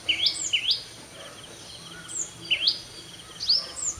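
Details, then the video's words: Sunbird singing at 5:30 AM, dawn, thin, sharp, high upslurred notes, some in quick pairs, about five in four seconds, over a faint steady hiss. "தேன்சிட்டின் சங்கீதம் | The Voice of Sunbird"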